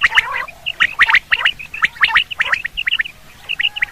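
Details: Common quail heard for hunting use: crisp, high, clipped notes in rapid groups of two or three, steadily repeated, with a faint raspy undertone early on.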